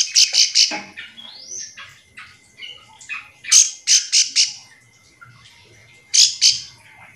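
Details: Bar-winged prinia calling to companions to spur other prinias to sing: harsh, squeaky bursts of three or four sharp notes with scattered softer chirps and a thin steady tone in the background.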